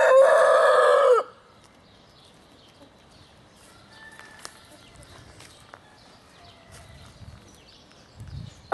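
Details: Oriental Gamefowl (Hint Horoz) rooster in March 2012, where an old black-and-silver 4.1 kg cock and his colourful son are kept; the loud, harsh tail of a crow fades out after about a second, followed by quiet with faint knocks.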